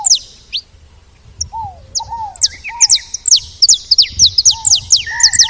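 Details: Saffron finches at a feeder: sparse high chirps at first, then a fast, busy run of falling notes, with mellow lower whistles and a short buzzy note near the end.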